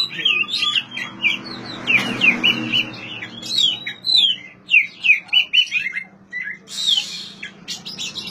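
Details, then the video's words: Oriental magpie-robin song meant to stimulate silent birds to sing: a lively sequence of sharp, downslurred whistles and twittering notes, in repeated bursts over a low hum. "suara asli kacer untuk memancing kacer macet bunyi"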